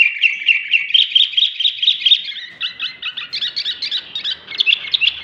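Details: Sooty-headed bulbul singing very actively, a fast run of bubbly, chattering notes that tumble between mid and high pitch, about two notes a second blurring into continuous twitter, with little background noise.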